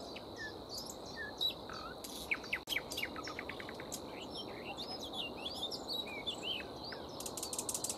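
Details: Nightingale song accompanying a foraging grey warbler in a flowering tree: bursts of sharp clicks and rapid chattering notes, then scattered bright whistled slurs and chirps, over a constant high buzzing background and a soft rural hush.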